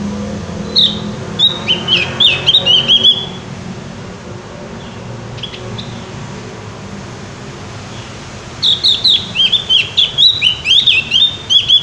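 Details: Lively Javan white-eye song: a short run of high chattering, slurred twitters, then near-silence for several seconds before a longer, faster burst of bright chirps repeats at the end over a faint low rumble.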